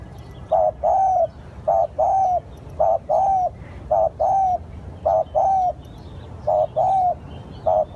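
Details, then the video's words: Decoy spotted dove cooing to lure wild birds: about six rhythmic phrases, each a short low coo followed by a longer, slightly wavering coo, repeated roughly every second and a quarter. Faint high chirps of other birds sound above. "Tiếng chim cu gáy gọi hay / เสียงต่อนกเขาได้ผล100%"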